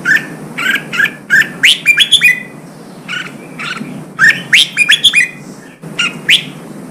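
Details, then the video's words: Caged red-whiskered bulbul trained for contest singing, delivering repeated whistled phrases, each a cluster of rising and falling notes with sharp high chips, separated by brief silences. "Kích chào mào bổi hót, kích bổi sổ giọng, luyện chào mào hót đấu"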